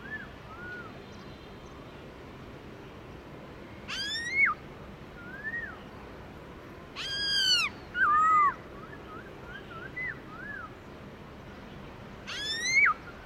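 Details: Black-throated laughingthrush in wild-voice song: scattered soft arched whistles mixed with a few louder ringing notes that rise sharply and fall, with long quiet stretches between.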